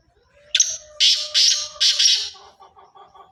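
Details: Sindhi black francolin, pure strain, producing a rough four-note call: a short grating opener, then three loud buzzy bursts, over a steady low tonal hum that turns into faint chattering afterwards.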